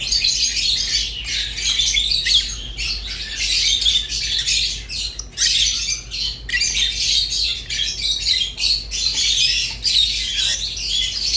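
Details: Rosy-faced and Fischer's lovebirds squawk and chatter sharply, loud scratchy bursts crowding together with tiny pauses throughout; a low background hum is present.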